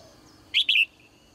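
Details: Bright morning call of a female caged bird: one crisp double chirp, a short high note immediately followed by a slightly longer, level note, then quiet.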